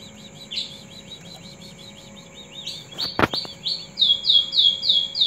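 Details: Green leafbird song used as a tutor recording: fast, high chirps repeated about three times a second, then a run of loud, clear downslurred whistles. A sharp click is heard midway.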